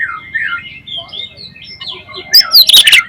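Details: Oriental magpie-robin (kacer) lure song in the 'bocor alus', 'ngeplong' style, used to stir other magpie-robins into singing: rapid varied whistled and chattering phrases, ending in a loud burst of harsh, sharp notes.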